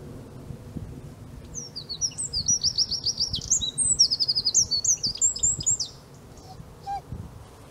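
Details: Eurasian wren (winterkoning) at De Kleuter in Uden on 5 March 2015: a loud, very high, rapid trilled song of fast-repeated notes lasting about four seconds, with low background rumble.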